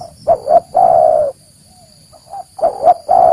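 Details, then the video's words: Spotted dove lure call for attracting wild birds: a pair of short clipped coos followed by a drawn-out falling coo, a pause with faint soft notes, then the phrase starting again; thin steady high tone in the background. "Suara Asli Derkuku Pikat"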